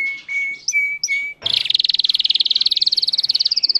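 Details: Russian singing canary in captivity: a few short whistled notes, then a fast rolling trill pulsing several times a second, ending on a higher sustained phrase.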